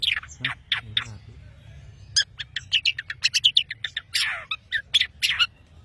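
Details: Long-tailed shrike from Madura in vigorous gacor song: a few scratchy harsh notes, a short pause, then a fast tumbling stream of varied chirps, rasps and high whistles.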